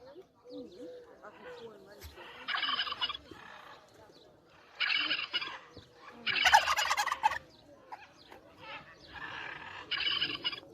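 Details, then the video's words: Competing turkey gobbling in four rough, rattling bursts spaced a few seconds apart, over a soft background of repeated low, curved whistle-like notes. "Turkey trying to compete"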